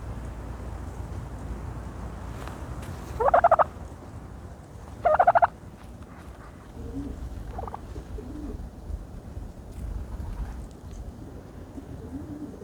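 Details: While a turkey bathes in dirt, two short, loud, rattling gobbles sound about two seconds apart. Faint low clucks and murmurs follow later in the recording.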